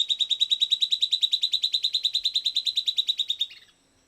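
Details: Silvered antbird song, a fast, regular trill of whistled notes holding one pitch, then faltering and dropping at the close.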